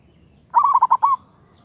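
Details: A single rapid, rolling phrase from a local zebra dove calling a rival, five or six quick bubbling coo notes ending in a slightly drawn-out final note, over a quiet background.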